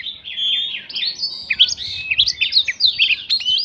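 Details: Oriental magpie-robin singing a lure song rich in prinia-style notes to rouse other birds: dense, continuous warbling of twisting whistles and buzzy slurs, energetic and unbroken throughout.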